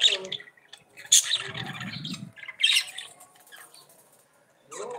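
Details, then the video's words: Budgerigar warbling of shrill squeaks and harsh chirps, with a low buzzy, rattling passage early on and a final squawk after a short silence. "CANTO DE PERIQUITOS-AUSTRALIANOS"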